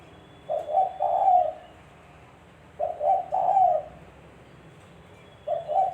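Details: Spotted dove call used as a trapping lure: low mellow cooing phrases of a short note then a longer drawn coo, repeated about every two and a half seconds, with faint background hum.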